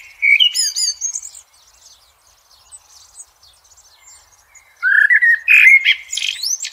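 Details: Blackbird song in the wild: a rich whistled phrase with a high twittering end, a pause with faint distant chirps, then another mellow fluted phrase closing in high squeaky notes.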